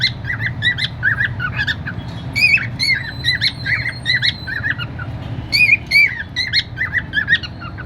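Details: Happy cockatiel singing a rapid string of whistled, slurred notes, repeating a squeaky phrase several times with short gaps between.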